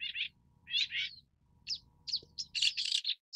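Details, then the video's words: Long-tailed shrike giving short, harsh chattering notes in quick bursts, a brief pause, then a denser run of scratchy notes toward the end over a faint low hum. "棕背伯勞/Long-tailed Shrike"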